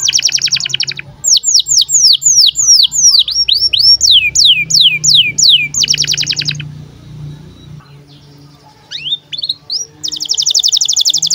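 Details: Canary birahi chirps meant to stimulate young canaries to sing and roll: a dense buzzy trill, a string of descending whistled sweeps, another buzzy trill, a quiet gap, a few rising notes, then a final buzzy trill over a steady low hum.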